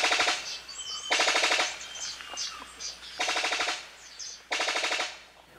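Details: Brown Sicklebill (Epimachus meyeri), a fruit-eater of New Guinea forest, gives loud, rapid machine-gun-like bursts of harsh pulses, four bursts about a second long, with other birds chirping faintly between.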